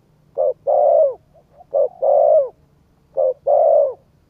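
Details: Three mellow coo phrases by a spotted dove to excite a decoy bird, each a short note followed by a longer coo that falls at the end, with faint soft notes in between.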